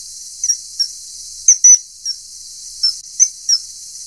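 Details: Adult common kingfisher with a juvenile during feeding, giving brief shrill whistled peeps, some in tight doubles, at uneven intervals amid a soft steady hiss.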